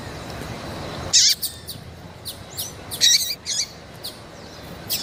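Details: Female double-collared seedeater calling to arouse males: sharp high chirps in two main bursts over a soft background hiss that drops away after the first call.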